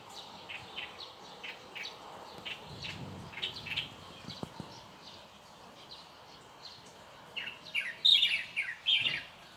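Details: Steady run of thin, high chirps at moderate volume, pausing briefly before a louder burst of bright, sharp notes near the end; faint low rumble and a couple of clicks in between.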